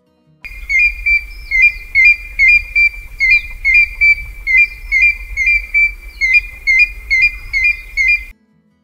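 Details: African grey hornbill in Kenya gives a steady series of high, piping whistled notes, about two each second, each with a slight upward flick, over a low rumble of wind.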